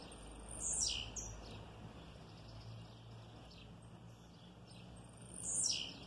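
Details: Captive blue-black grassquit singing in an aviary beside a female: two sharp, buzzy high notes sweeping steeply downward about five seconds apart, with fainter short notes between, over a low steady background hum.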